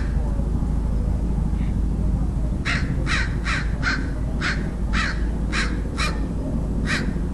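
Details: Crow in San Diego, California, USA, recorded 27 February 2009. After a quiet start it breaks into a quick, uneven string of about nine hoarse caws. A deep steady rumble continues underneath.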